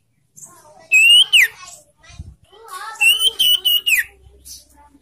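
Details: Young ashy tailorbird (sirtu) singing, a recording played to stimulate caged birds to sing: loud clear whistled notes, some rising then falling sharply, in two short bursts separated by quieter gaps. Faint low background sounds.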